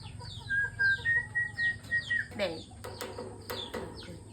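A cockatiel whistles a run of clear, level and falling notes, then breaks into harsher chattering.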